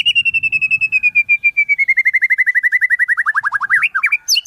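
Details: White-rumped shama singing a song filled with imitations of wild birds: a long rapid trill of clipped notes slowly descending in pitch over four seconds, ending in sharp upward-swept whistles.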